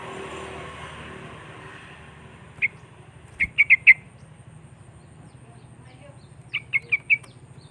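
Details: Sooty-headed bulbul song used as a lure to call in rival birds. Two short bursts of four clear, bubbly notes each, about a second apart and near the middle of the pitch range. A low background hum runs throughout.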